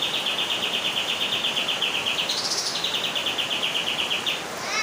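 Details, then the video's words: A bird whose call resembles gunfire delivers a fast machine-gun rattle of clipped high notes, nearly three per second, briefly jumping higher in pitch midway, then continuing, over constant heavy background hiss. "burung suara mirip tembakan AK47"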